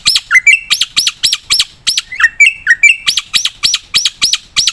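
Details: Black-winged myna in energetic full-repertoire song for stimulating and tutoring other birds: loud, ringing arched notes repeated steadily, broken twice by low rising whistled slurs, a clean recording with no other sounds.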